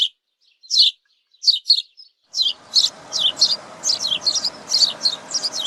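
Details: House sparrow chirping: rapid high chirps, a few spaced notes followed by a steady run of repeated chirps over a soft background hiss.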